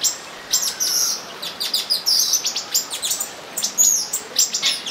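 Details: Mating olive-green tanagers in São Bento do Sul, Brazil, giving rapid high chirping calls, short sharp notes tumbling over one another in uneven clusters, with some brief buzzier phrases and steady soft hiss behind.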